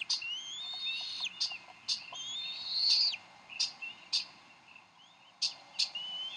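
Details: Bald Eagles disputing a fish at their Decorah nest, 30 May 2012. Softer, high whistled calls rise early on, then give way to sparse, isolated sharp ticks.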